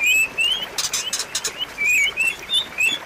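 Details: White-rumped shama song used to trigger a silent bird: a bright rising whistle, rough crackling bursts, then scattered short whistled notes.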